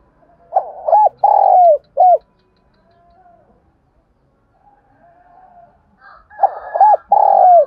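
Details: A spotted dove used as a decoy and lure bird gives urgent cooing in low, hollow phrases: a few quick notes, then a long drawn-out coo. Two phrases come several seconds apart, with quiet between them.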